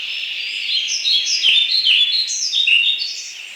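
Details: Forest-dwelling European Pied Flycatcher in Poland's Wielkopolski National Park sings a lively run of clear, high chirps that jump between pitches in a rapid, see-saw pattern, with faint hiss underneath.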